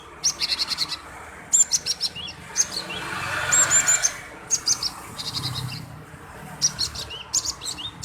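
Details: Male cinereous tit, used as a lure to provoke other birds into singing: bursts of sharp, high chirps and short trills in clusters roughly every second or two, with a soft hiss of background noise.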